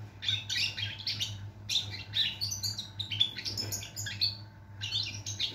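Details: Goldfinch song, a lively tumbling stream of tinkling twitters and buzzy trills in quick bursts with brief pauses, set against a constant low electrical hum.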